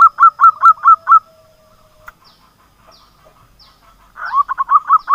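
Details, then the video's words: Lure song of a local zebra dove for drawing silent doves into song: a quick series of five coos, a long near-silent stretch with faint clicks, then another rapid run of coos. "pancingan Perkutut lokal gacor, suara perkutut gacor pancingan Perkutut bisu"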